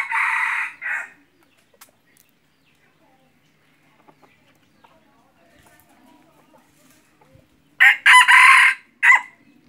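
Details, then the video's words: Two crows from a red junglefowl kept as a hunting decoy, several seconds apart: each a loud, rough, broken phrase of several segments over about a second, with near silence and faint rustling between them. "ไก่ต่อไก่ป่า-qaib dib qaib qus"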